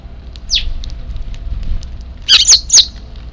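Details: Eurasian tree sparrow nestlings, Japan, 3 April 2024, heard before an evening feeding of the semi-wild birds; one thin falling chirp, a quiet stretch, then three loud, harsh squeaky notes in close succession.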